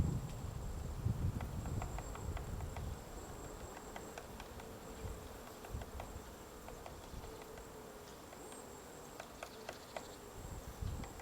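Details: White-backed woodpecker digging a nest hole in a tree at Gongsanseong Fortress, Gongju, South Korea, 22 March 2024 around 10 a.m.: faint, irregular dry taps in loose bursts over low wind rumble and a steady insect-like hum.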